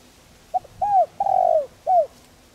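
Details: Spotted dove giving a gentle calling coo, used to stir decoy doves into cooing. One four-part phrase at low pitch: a brief note, an arched coo, a long burry coo, then a short falling coo.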